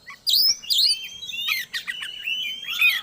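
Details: Kacer, the Oriental magpie-robin, singing a lure song meant to hasten breeding condition. High ringing whistles open the phrase, followed by buzzy notes and long, slowly rising whistled tones. Only the bird is heard.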